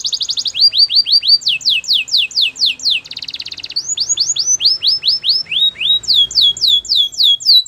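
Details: Singing canary delivering tour after tour of sweet down-slurred whistled notes, each phrase repeated rapidly at a new pitch, with a short buzzy rattle in the middle.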